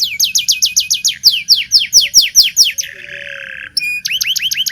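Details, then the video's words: Lively local canary song for teaching young canaries: rapid repeated rising whistles in fast trills, a short buzzy rolled phrase, then more upswept whistled notes. "Suara Burung kenari lokal super gacor bagus untuk pancingan kenari belajar bunyi"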